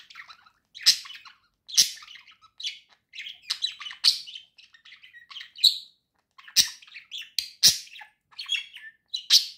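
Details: Two domestic budgerigars in cheerful song: a rapid stream of twittering chirps, scratchy chatter and sharp clicking notes, broken by short silences, with loud harsh accents every second or so.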